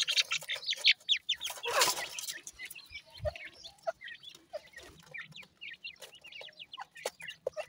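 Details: High, thin chirps from a group of grey francolin chicks, quick and irregular at roughly one per second per caller, after a burst of rustling noise near the start.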